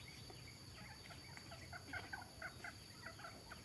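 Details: Mixed-breed red junglefowl, adult males and females, Nam Som in Udon Thani, Thailand; a loose series of short, sharp clucks grows louder toward the end, with constant high insect noise behind.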